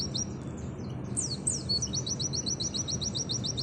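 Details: Oriental white-eye singing the nembak style used for masteran training: a few sharp downslurred whistles, then a long, even, rapid string of high clipped notes, about three or four per second, over low background hum.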